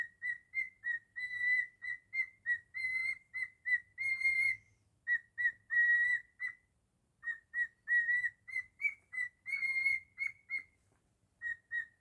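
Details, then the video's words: Cockatiel kept as a pet sings Jingle Bells in its own way, a long run of crisp whistled notes grouped in rhythmic phrases, short notes then held ones, broken by a gap midway. "Cockatiel singing beautifully 😍 jingle bells"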